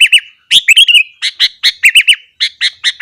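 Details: Excited morning song of a sooty-headed bulbul, said to anger other bulbuls. Quick, warbled chirps tumble in short bursts with brief pauses between them, steady throughout three seconds.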